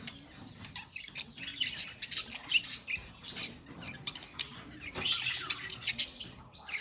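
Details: Many budgies calling in a colony: rapid scratchy squawks and bright chirps pile up in uneven bursts, louder in the middle and toward the end, amid constant background warbling.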